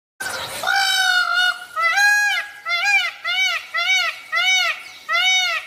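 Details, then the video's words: An Indian peafowl (peacock) gives a loud, nasal, trumpeting wail, then a fast series of seven short arched honks about twice a second. "peacock sound"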